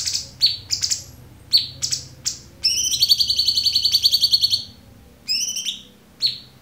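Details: Cucak cungkok song as a clear training recording for songbirds: scattered sharp downslurred notes around a long, even trill of rapid pulses lasting nearly two seconds.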